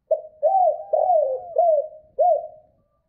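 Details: Spotted dove cooing in a 'two-ending' style, used as a lure for wild doves: five low, hollow coos in about two and a half seconds, each rising slightly then falling, on a clean, quiet background.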